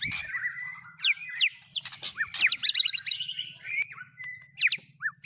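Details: White-rumped shama with mimicked fill-ins of speed cililin, canary and lovebird: steeply rising whistles, a dense burst of chattering notes and short flat whistles, with a faint low hum beneath.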